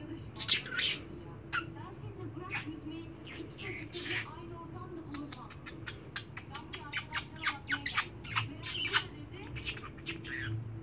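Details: A budgerigar, following its cousin around trying to get a kiss, chatters in quick, scratchy chirps and squawks, speeding into a rapid run of clicks.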